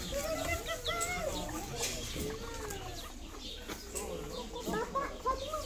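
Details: Hens on a farm near Barcelona, Spain: overlapping soft clucks and rising, wavering cackles from several birds, with some higher squawks, steady farmyard background and faint voices.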